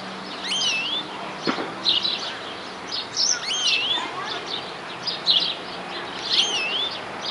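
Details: Wild greenfinch in New Zealand singing continuously, delivering quick twittered trills mixed with looping, wheezy whistles in short repeated bursts, a single sharp click near the start and a soft low hum in the background.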